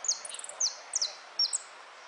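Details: European goldfinch competing in a song contest, amarillo de repique: a quick burst of high falling whistles and a short buzzy rattle, four phrases in two seconds, clear and close.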